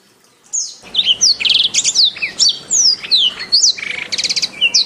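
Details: Canary singing for use as a training master, best played morning or afternoon: after a brief silence, crisp high whistles, downslurred notes and rapid stuttering trills in quick sequence.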